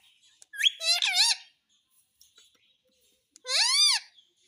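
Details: Parrot talking, saying "mummy papa": a cluster of wavering harmonic syllables, a pause with faint clicks, then one long arched syllable rising and falling.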